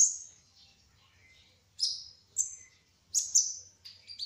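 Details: Spotted trotol olive-backed sunbird giving a few sharp, high falling chirps separated by short pauses, the last notes closer together, part of its rolling ngerol song.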